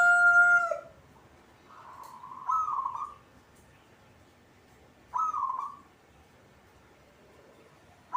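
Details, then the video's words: A local zebra dove (perkutut) kept as a songbird sings in full voice, giving soft, rolling cooing phrases near one pitch, repeated every few seconds against a quiet background. "perkutut cepat bunyi atau gacor"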